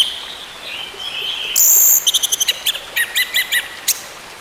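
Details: Orange-headed thrush song meant as therapy to restart a bird that has gone silent. A thin whistle leads into a buzzy high note, then a quick run of evenly spaced chirps, roughly four per second, over a steady hiss.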